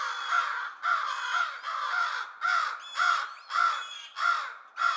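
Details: Crows mobbing an owl to drive it away give harsh, raspy caws in quick succession, roughly two per second, several birds overlapping in a loud, relentless mobbing chorus.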